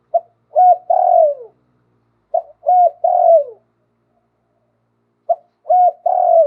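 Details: Zebra dove singing the sweet tossed 'khan yon' style song in the manner of a wild bird: three-part coo phrases of short notes ending in a long falling trill, repeated about every two and a half seconds, clean background.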